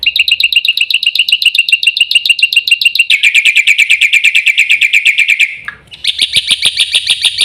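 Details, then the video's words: Black-winged myna giving continuous rapid, metallic chirping. The run drops to a slightly lower, denser series midway, breaks with a short downward slur, then resumes with higher, piercing repeated notes. "burung jalak putih"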